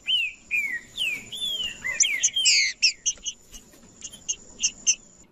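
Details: Green-winged saltator male singing to provoke rivals, delivering several smooth whistled slurs, mostly rising then falling, followed by a harsh buzzy burst and spaced sharp chips, a constant faint high tone in the background.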